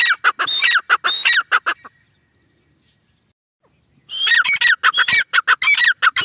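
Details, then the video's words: A grey francolin (teetar) in the last month of its breeding season gives loud, harsh, ringing notes in rapid repeated bursts, pauses about two seconds, then resumes the same quick series. "Teetar ki awaz | teetar sound"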